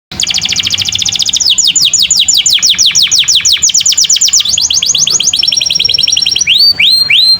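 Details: Canary (kenari) in a master recording for training other canaries: a loud, continuous series of fast repeated downward-sweeping notes, changing tempo partway, ending with slower rising-falling whistles over steady background noise.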